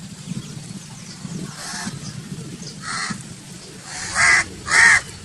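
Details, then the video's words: Crow cawing outdoors: a faint caw amid low rumbling background noise, then two loud harsh caws in quick succession near the end. "Crow Calling Sound 🐦 2026| Real Crow Voice HD | Attract Crows Fast Crow Sound Effect (Caw Caw)"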